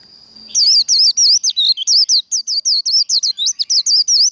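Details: Japanese white-eye singing the líu fighting style used in training: almost four seconds of continuous quick, high, twisting whistled notes in a lively, uneven series.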